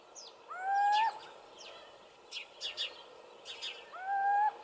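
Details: Little owl calling in Hortobágy National Park, Hungary, 2015. Two clear, upward-sliding whistled calls, one near the start and one near the end, separated by brief high chirps of other birds.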